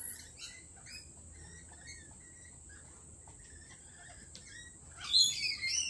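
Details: Lorikeets at a cafe give short, high chirps spaced about a second apart. Near the end comes a sudden burst of loud, shrill, rasping screeches, with a steady background hum throughout.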